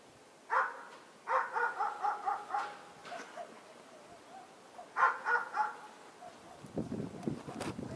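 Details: Fieldfare in late winter, a season when thrushes feed on leftover berries on branches; two bursts of harsh, rasping chack notes, the first run of about six, the second of four, followed by low rustling.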